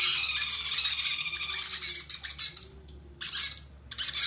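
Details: Conure chicks being hand fed: sustained, high, hissing-raspy begging squeals, then a pause and two shorter bursts.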